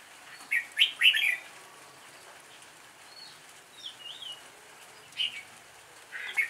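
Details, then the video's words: Red-whiskered bulbul improvising its song: a quick pair of loud, rich warbled phrases near the start, then soft thin whistles in the middle, followed by two more short chirpy bursts toward the end, with faint background hiss. "chào mào ngẫu hứng"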